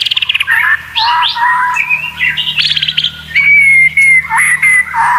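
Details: Song used to tutor contest white-rumped shamas with strange sounds: quick chattering notes, varied mid-pitched whistles and jumps, ending in a long, level, pure whistle, over a low background hum.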